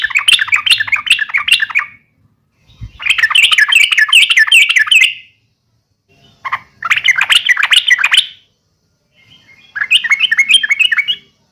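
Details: Yellow-vented bulbul giving its uplik tarung fighting call to goad other bulbuls into responding: four runs of quick, bubbling chatter, each lasting one to two seconds, with pauses between.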